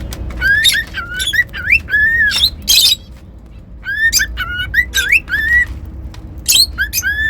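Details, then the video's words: Cockatiel whistling, recorded for pet birds: repeated clear whistled notes, each sliding up then gently down, mixed with sharp high chirps and a burst of harsh squawking, in a quiet indoor room. "Cockatiel whistling sounds"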